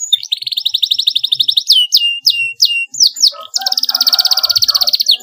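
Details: Canary chirping, used to encourage young birds learning to sing: fast, high rattling trills of evenly repeated notes, then a run of sharp downward-slurred whistles, then another long, rapid trill. Faint low sounds beneath the later trill.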